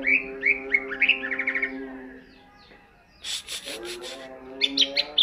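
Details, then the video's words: Ngentrok-style song of a greater green leafbird: quick upswept whistled notes tumbling in a short burst, then a gap filled by a steady music-like drone, clicking noise and a few sharp notes at the close. "cucak ijo gacor ngentrok"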